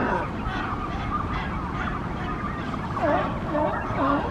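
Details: Morning at a Monterey nesting colony of Brandt's cormorants: scattered short hoarse calls, then a clearer cluster of dipping, bending notes in the last second and a half, over steady low rumble.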